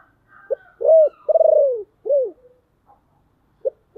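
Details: Spotted dove kept as a decoy, deep-voiced, cooing to lure wild birds: a brief note, a rounded coo, a long vibrating descending coo and a curved final coo, followed by quiet and one short note.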